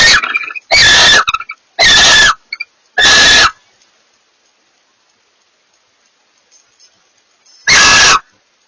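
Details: Barn owl pair communicating with each other: four loud, harsh hissing screeches in quick succession over the first three and a half seconds, then silence before one more rasping screech near the end.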